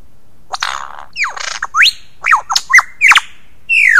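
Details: Mimicking lyrebird delivering a rapid medley of loud, varied notes: rising and falling whistled sweeps, clicks, and harsh rasping bursts, ending with a drawn-out descending whistle.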